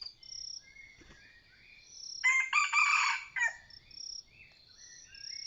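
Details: Decoy-hunting Red junglefowl of the Sai Wian line gives one crow of about 1.2 seconds. It is loud, coarse and split into a few choppy bursts, set against high pulsing insect trills and soft scattered bird whistles.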